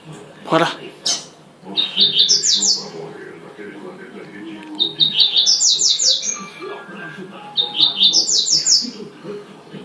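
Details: Double-collared seedeater giving its "tuitui manda chuva" song: three short rising trills of crisp high notes about three seconds apart, after a brief low thud at the start, over a faint background hum.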